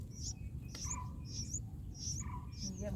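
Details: Bulbul nestlings, four days old, being fed in the nest give short, high, thin chirps about every half second, with lower chirping notes between, over a steady low rumble of background noise.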